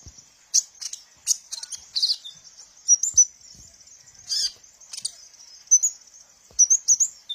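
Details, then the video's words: Sunbird song used to stimulate captive birds: repeated bursts of very high, thin twitters and trilled chirps, separated by short quieter gaps. "suara burung Kolibri ninja"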